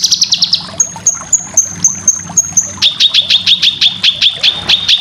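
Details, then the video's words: Cucak kinoy song for training competition birds: quick high chatter, then about eight thin whistled pips, then a dozen sharp notes repeated steadily. "Masteran full besetan cucak kinoy cocok untuk burung lomba"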